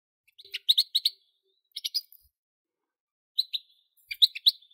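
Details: European goldfinch singing in spaced bursts of clear, bright chirps, three or four notes per group, separated by short silences.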